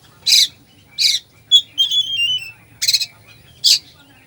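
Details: Oriental magpie-robin giving a full 'isian' song meant to provoke slow birds: rasping high bursts broken by a quick whistled note and a fluty descending warble, then more harsh bursts.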